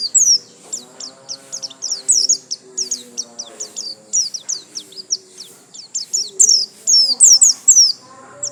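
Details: White-eye in full, loud song: rapid high chirps and trills packed closely, repeated about twice a second, over faint lower tones in the background.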